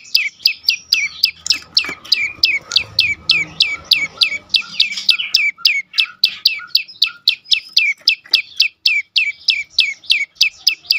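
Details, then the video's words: Prinia known as prenjak lumut, in 'dorr' song used to provoke silent birds: quick rhythmic high chips that drop in pitch, repeated continuously, with brief low rustling in the first seconds. "full Dorrr prenjak lumut lain makin tergoda berbunyi sangat ampuh untuk pancingan burung bisu"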